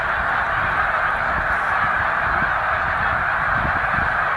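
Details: Around 100,000 snow geese gathered at Middle Creek wildlife refuge during migration call all at once. The result is a thick, steady din of high nasal honking with no break.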